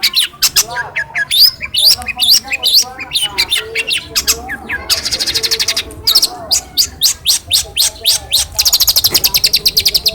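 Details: Caged long-tailed shrike from Cilacap, raised by hand-feeding and tutored with phone recordings, singing a varied imitative medley of sharp chirps, slurred whistles and fast buzzy trills in quick bursts.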